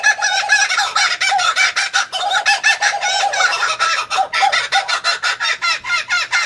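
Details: Kookaburra laugh, a long unbroken chorus of rapid, raucous chuckling notes that keep up a steady pulsing rhythm and swell and fade several times over about six seconds.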